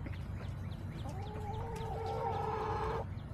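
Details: Backyard chickens recorded on July 17, 2024: a rooster gives a long harmonic crow of about two seconds, steady and slightly rising, over scattered short high bird chirps and a constant low rumble.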